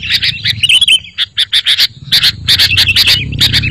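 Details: Sooty-headed bulbul master song, used to lure birds and get a caged bulbul to reply: dense, lively chatter of quick bright chirps and short warbled phrases, with a steady low hum underneath.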